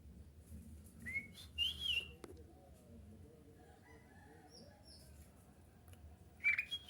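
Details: Kutilang emas bulbul whose song is used to lure other bulbuls into answering. Short whistled phrases with slurred, wavering notes come around one and two seconds, and again at the end. Quiet rustling sits between them.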